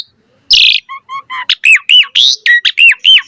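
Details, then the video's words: Asian pied starling in full song, meant to lure other birds into answering: one harsh burst, then short hollow notes, then a rapid run of loud, arched, slurred whistles repeated in an even rhythm. "Pancingan Jalak Suren Gacor Auto NYAUT Cepat MOMPA"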